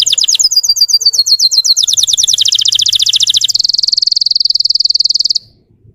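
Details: Russian canary song played to provoke other canaries: quick repeated notes that speed into a rolling tour, then a rapid, even, buzzy trill that stops abruptly, leaving near silence.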